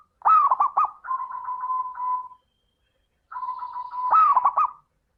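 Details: Zebra dove in full song, offered as a lure to get other doves singing: loud rolling cooing phrases with quick stuttering notes, joined by a long steady hum-like coo, then silence and a second phrase mirroring the first.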